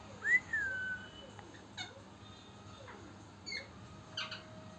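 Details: A happy pet Indian ringneck (rose-ringed) parakeet, jumping and chirping, gives one clear rising-then-falling whistle, followed by a few soft, scattered chirps and light clicks in a quiet room.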